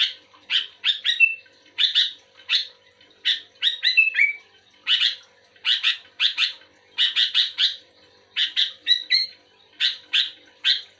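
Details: Sooty-headed bulbul (kutilang) calling back to another bulbul. Steady, lively stream of rasping chirp pairs and triplets over eleven seconds. Several short whistled phrases slide downward between them.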